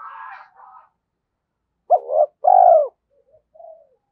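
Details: A decoy spotted dove stimulated to coo, giọng thổ type, gives one phrase: a short double note and a long croo, then a soft trailing murmur. Faint rustling noise is heard at the start.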